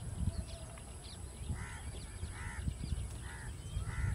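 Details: Indian roller in Kerala giving four harsh, croaking calls about a second apart, over a steady low rumble of wind or handling noise.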